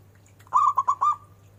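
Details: Zebra dove giving a short burst of about four quick, mellow cooing notes near one pitch, each slightly bent, with a steady low hum underneath.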